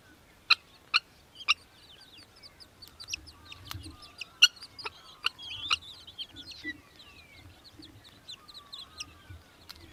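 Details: Australian hobby (little falcon) recorded in Victoria, Australia, in December 2023, giving spaced harsh clipped notes, three early then more around mid-clip, over a continuous chorus of other songbirds whistling and trilling.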